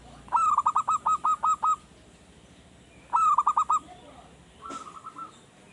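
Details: Caged zebra dove in early training, newly singing regularly and used as a lure to prompt other birds: a rapid string of about eight staccato coos, a pause, a shorter burst of five, then one faint phrase.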